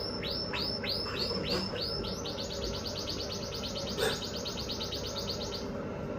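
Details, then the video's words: Red factor canary singing at an exhibition: a run of rapid repeated descending whistled notes that speed up into a fast even trill, over steady background hum and noise. "Red Factor Canary Finch Singing Exhibition"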